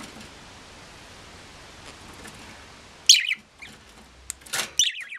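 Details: After three seconds of steady hiss, a pet budgerigar breaks in with a loud sharp chirp followed by a cluster of quick squeaky notes near the end.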